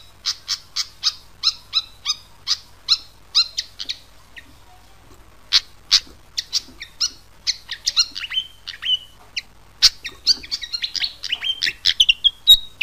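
A fantail gives rapid, sharp, high squeaky chips, then a thin run of falling whistled notes.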